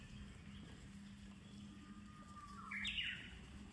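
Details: Japanese bush warbler singing in summer at Kamakura: a long, quiet, steady whistled note is held, then ends in a short bright rising-and-falling flourish; a low steady hum runs underneath.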